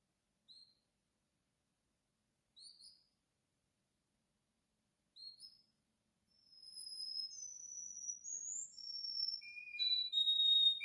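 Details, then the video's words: Russian canary song. Three short, well-spaced high chirps, a pause, then a steady flow of bright, pure whistles and rapid trills stepping up and down in pitch, rising in volume to the end. "Russian Canary Singing"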